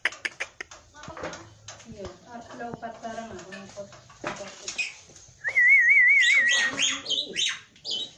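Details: Javan pied starling in lively 'gacor full isian' song: quiet stuttering ticks and soft warbled phrases, then a loud wavering whistle and harsh, high chattering notes.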